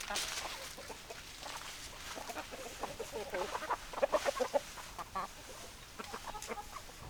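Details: Hens clucking with a rapid run of short, stuttering notes in the middle, scattered louder squawks and soft background murmur.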